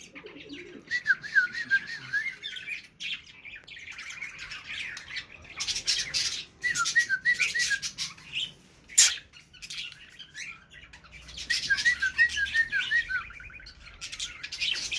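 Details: A pet cockatiel in a happy mood sings short runs of wavy, warbling whistles, broken by scratchy chatter.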